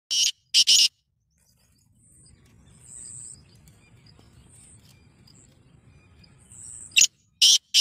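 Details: Black francolin (kala teetar), a Gangas nasal speeder, gives harsh broadband notes: two quick bursts at the start, a hushed gap with thin high insect-like whines and low rumble, then three rapid grating notes at the end.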